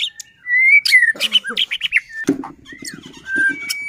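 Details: White-rumped shama song meant to provoke other shamas into singing: long clear whistles and quick varied notes, then scratchy chatter with low buzzy notes in the second half.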